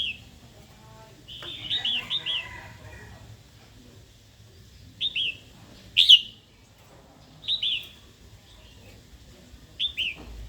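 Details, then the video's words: Red-whiskered bulbul female calling to excite a wild-caught male to sing and fight: short bright hooked notes in little groups, repeated at intervals of roughly one to two seconds over a quiet background. "Chào mào hót tiếng mái kích bổi"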